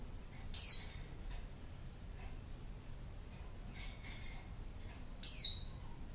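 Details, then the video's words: A female white-eye, used as a lure to draw a male's reply, gives two sharp, very high, downslurred call notes about four and a half seconds apart, with fainter thin twitters in between. "pleci betina#buat pancingan pleci jantan"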